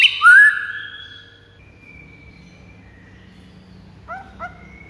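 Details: White-rumped shama song meant to provoke rival birds into singing: a loud burst of rising whistled and chirped notes, then a long thin whistle. Two short clipped notes come later over a faint low hum.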